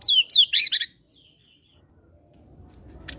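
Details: Captive fighter White-rumped shama singing with borrowed cinereous tit phrases, used as a prompt for silent birds. Two descending whistled swoops lead into a brief chattering burst, then near silence with faint background rumble.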